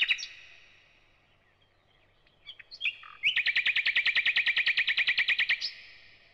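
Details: Thrush nightingale song, alternating repeated whistles and clicks: scattered soft notes open into a loud, rapid, rattling trill of about twenty identical chirps lasting over two seconds.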